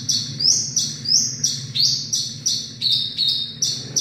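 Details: Javan bush lark repeating short, bright, high notes about three times a second, each sharp-edged and slightly slurred, over a faint low rumble.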